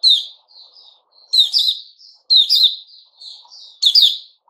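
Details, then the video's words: A white-rumped shama sings on 29 August 2021, with loud, sharp, rich whistled phrases about every 1.2 seconds. Each is followed by softer trailing notes, against a quiet background. "Puteh Raja Sing Buka"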